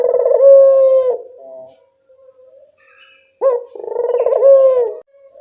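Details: Lure coo of a local Barbary dove for prompting other birds to answer: a low purring coo ending in a held tone, a pause with faint soft notes, then a second rolling coo.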